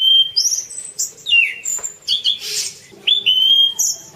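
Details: Orange-banded thrush song used as a tutor recording: loud varied phrases of clear whistles, falling slurs and sudden jumps in pitch, mixed with short harsh rasping notes, over a quiet background.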